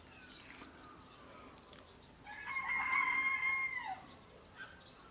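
A single rooster crow, almost two seconds long: a strained, harmonic call that holds steady, then drops at the end. A few sharp taps come before it over a low background rumble.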